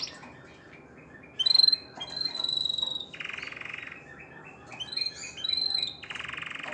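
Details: Canary song played to stimulate females to mate; high thin whistled notes alternating with buzzy rolled trills and stuttering chirps, moderately loud.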